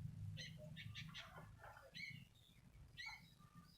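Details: Sooty-headed bulbul, a single bird, giving short clusters of chirpy, slightly buzzy notes and brief whistles, with a constant low rumble underneath.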